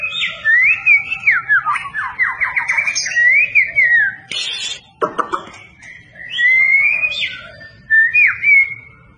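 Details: White-rumped shama with strong fighting mentality, prepared for competition, delivering wavering whistled phrases and quick descending note runs, broken by a harsh rasping burst midway, then more clear rolling whistles.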